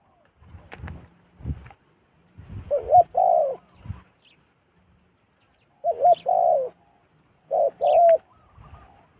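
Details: Zebra dove in the wild, coming down to a decoy, repeats double coos three times, a brief bent note then a longer rolling note. Rustling and knocking noises sound at the start, with faint high chirps.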